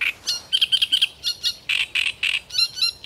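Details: Great reed warbler singing passionately: a continuous stream of loud, harsh, croaking and chattering notes repeated about three to four times a second, mixing grating syllables with squeakier, whistled elements.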